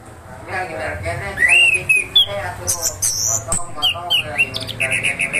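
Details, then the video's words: Orange-headed thrush in gacor ngeroll style, delivering varied whistled phrases: rising slurred notes, high sweeping whistles and a quick run of repeated short notes, over a soft background hum. "Anis kembang Gacor Ngeroll"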